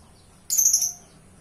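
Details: Lone piercing lovebird squeak, high and slightly buzzy, lasting about half a second against a quiet backdrop.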